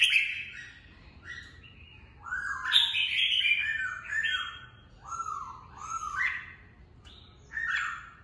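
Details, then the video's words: Red-whiskered bulbul kept as a cage bird, filmed to train its voice and fire it up for singing contests; rich phrases of warbled, slurred whistles, rising and falling, in bursts of one to two seconds with short pauses. "Chào mào bọng hay, hót luyện bổi ra giọng, luyện chim đấu giàn"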